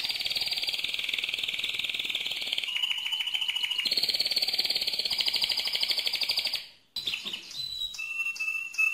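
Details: Mosaic canary in its loudest song, long continuous rolled tours shifting between high and lower pitch for over six seconds, followed by a brief break and several clear, pure whistled notes.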